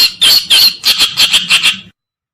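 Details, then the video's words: Reed warbler, local name kerakbasi or cikrok, white-browed or black-browed, as a bird lure: a short volley of about eight loud, scratchy churring notes, the first ones longest, ending abruptly in silence. "Suara Pikat Burung Kerakbasi Alis Putih/Alis hitam(cikrok)"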